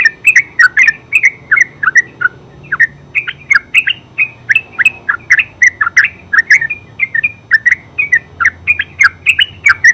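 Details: Continuous ngeropel singing from a yellow-vented bulbul (terucuk): busy, bubbly chirps in tight bursts with hardly a pause, bright and loud throughout, over light low background noise.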